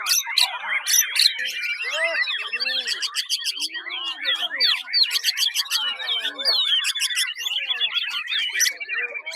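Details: Dense, continuous 'tembakan' song of a white-rumped shama, packed with fast chattering trills, clicks, slurred whistles and repeated sharp high strokes that pour out without pause.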